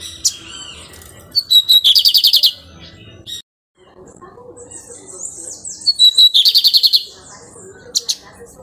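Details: Nesting lined seedeater singing the pirate song twice: each phrase opens with high whistled notes and runs into a rapid string of around eight buzzy repeated notes, separated by a short gap with faint chatter.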